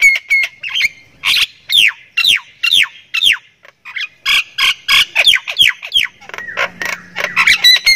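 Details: Javan myna from Thailand singing energetically: a varied series of harsh squawks and swooping, downward-slurred scratchy notes about twice a second, ending in denser rasping chatter.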